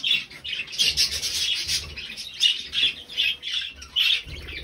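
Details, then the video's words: On 20 November 2020 three budgerigars give grating squawks and chirpy chatter in rhythmic bursts about every half second, with a soft low thud near the end. "Drei hübsche Wellis"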